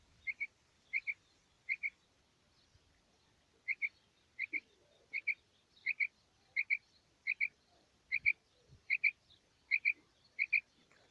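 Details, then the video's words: Female quail calling in the morning as a hunting lure: paired short chirps repeated steadily about every 0.7 seconds over faint low background hiss. "Female Batair Calling 2020 | Female Quail Sounds | Mix Calling| Maadi Batair Ki Awaz Suba ki liye"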